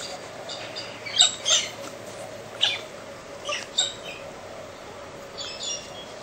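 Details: Galahs in central Australia at early morning, screaming and mucking around. Harsh, high, rasping screeches come at irregular intervals, some in quick pairs, over a steady low background hum.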